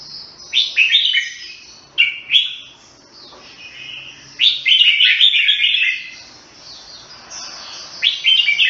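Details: Jambul (red-whiskered bulbul) in Singapore singing loud bubbly whistled phrases, about one every second or two at first, then a longer, rich warbled run, and a final bright phrase after a pause.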